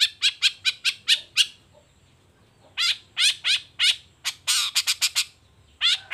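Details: Long-tailed shrike singing actively in the morning: two bursts of harsh, buzzy chattering notes, about six quick notes each, separated by a short pause, with a faint low hum underneath.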